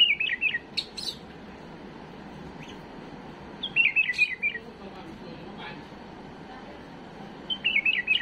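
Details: Domestic bulbul's error-free song for schooling young birds: three similar rippling, downward-stepping warbled phrases spaced a few seconds apart, with thin high chips between them.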